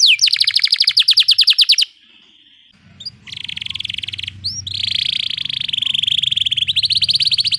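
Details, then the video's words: Canary rolling song (ngeroll) played as tutor audio for small songbirds: fast, evenly repeated high trill notes, a short steady whistle, then long buzzy rolls. A faint low rumble sits beneath the later part. "Canary Ngeroll Emosi"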